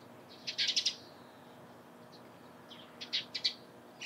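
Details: Eurasian tree sparrow calling in the morning: a quick burst of three or four sharp, high chirps, a pause, then another short chirp group over faint steady background noise.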